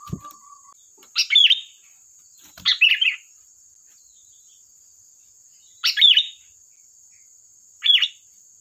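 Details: Sooty-headed bulbul singing lively, used as a lure: four short bubbly, chattering phrases, each under half a second, at irregular gaps over about eight seconds, over a steady thin high-pitched tone.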